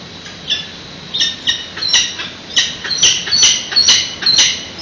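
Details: Nestling peregrine falcons in San Francisco begging as an adult feeds them at 8:35 am on 13 June 2017, picked up by a live nest webcam. Rapid harsh squawks tumble out over two a second, becoming more insistent.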